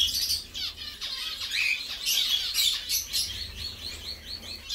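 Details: Several captive zebra finches singing, chirping and bathing at mealtime; bright nasal chirps about twice a second mix with fast buzzy song notes in an overlapping chorus.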